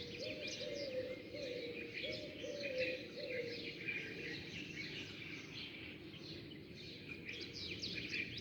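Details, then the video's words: Daybreak chorus of sparrows: high, overlapping chirps and twitters throughout. Low, repeated coos sound during the first four seconds, then fade, leaving only the chirping. "زقزقة العصافير"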